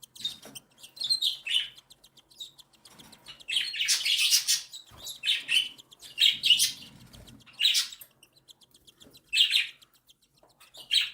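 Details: Being fed by their mother, three tiny cockatiel chicks of one and seven days beg with rapid pulsed ticking and repeated loud, harsh wheezing bursts every one to two seconds, with a quiet soft rustle.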